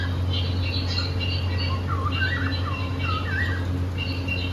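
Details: Happy pet cockatiels singing and playing: rapid twisting whistled chirps and scratchy squawks in short bursts, with higher thin notes, over a continuous low hum indoors.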